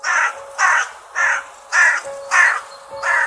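A crow gives six harsh, hoarse caws in steady succession, roughly one every half-second, with a faint steady tone underneath.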